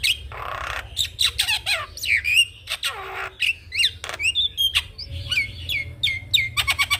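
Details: Javan myna in full song, a bird kept for use as a master song to train young mynas: harsh broadband squawks mixed with sharp whistled notes and rising chirps in a rapid, varied sequence, with a low steady hum beneath.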